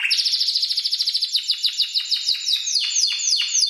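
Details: Spanish Timbrado canary, seven months old and kept indoors, tutored by recordings of other timbrados, delivers a rapid pulsed roll that gradually slows into separate, sharply falling notes.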